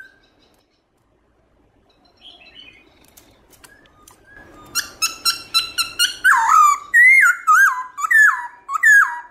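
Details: Black-throated laughingthrush singing in the morning in forest-voice style with varied phrases. Soft scattered notes at first, then a loud run of ringing, harmonic whistles that dip and rise, about two each second.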